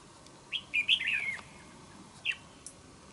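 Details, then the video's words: Red-whiskered bulbul, a wild-caught trap-fighting bird with a good voice, gives a short tumbling phrase of slurred whistles, followed by a single clipped note a moment later. "Bẫy Đấu Chào Mào. Cầu Mỏ Cực Tốt . Đấu Găm. Giọng Hay .Cực Gấu"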